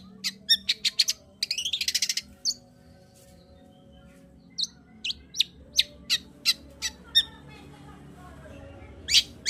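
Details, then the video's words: Long-tailed shrike song used to stimulate other birds to sing: sharp high chirps and a fast rattling burst, then separate clipped notes spaced about every half second, over faint low background hum. "Pancingan Cendet Gacor Untuk Menaikkan Birahi cendet Malas Bunyi"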